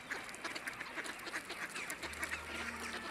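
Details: Wintering mallards in central Russia, living on a non-freezing urban pond where people feed them, call over one another in a steady stream of rough quacks and chatter.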